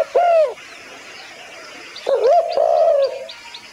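A dove gives two soft, low coos: a short one, then a longer drawn-out coo about two seconds later. Faint high chirps from small birds come through behind.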